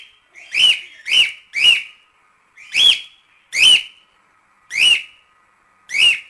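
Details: Cockatiel giving loud, clear, rising whistled calls, seven in about six seconds. They come in irregular groups with short gaps between them, over a quiet background.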